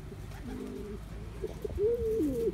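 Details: A young male Cuban Pouter pigeon during his courtship dance: soft low murmurs at first, then one clear, louder rolling coo that rises, holds and dips near the end.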